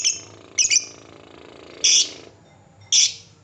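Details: Lovebird in 'ngetik' style, played as a lure to provoke other lovebirds into 'ngekek' trilling; three sharp, high, harsh chirps, the first doubled, spaced about a second apart over a quiet background.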